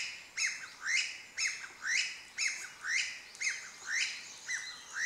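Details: A Chinese bamboo partridge, heard but not seen, gives loud, shrill, ringing notes repeated almost twice a second in a steady, insistent series; recorded 20 May 2012.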